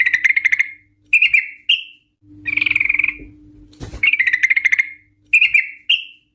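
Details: Lure track of a female Sooty-headed bulbul for prompting ropel singing: short buzzy trills and single rising notes alternate in quick bursts, with a steady low hum and one brief click.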